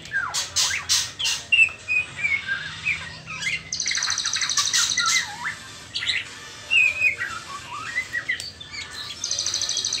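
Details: White-rumped shama juvenile, trotol stage prior to pastol, mixing sliding whistles, squeaky chatter and repeated bursts of rapid high pulsed trills, busy and varied throughout with frequent sharp clicks.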